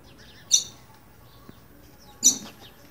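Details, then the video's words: Green-winged saltator calling out of fear: two sharp, harsh high chips almost two seconds apart, an anxious alarm note over a quiet background. "Trinca ferro boiadeiro chamando piando de medo"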